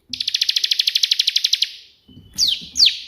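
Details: Bar-winged prinia song: a steady, rapid trill of about eighteen chirps, a short pause, then two loud falling whistles, with faint low rustling noise.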